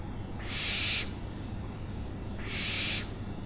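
An owl gives two harsh, hissing screeches, each about half a second long and two seconds apart, over a low background rumble.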